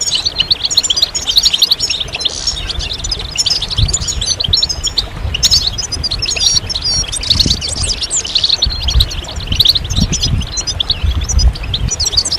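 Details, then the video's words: Chorus of many European goldfinches, played to encourage males to sing again after moult; busy, bright chattering trills and liquid twitters overlap without pause, with faint low background rumble. "ستستة وبتبتة جماعية للحسون فعالة في تحفيز الحسون على الخروج من غيار الريش بسرعة"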